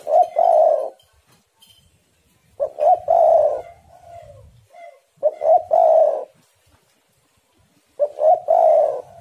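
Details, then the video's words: Spotted dove song meant to get other doves singing: four low cooing phrases repeated roughly every two and a half seconds, each a short stutter of notes running into a longer rolling coo, clean background. "tekukur super gacor saling memanas"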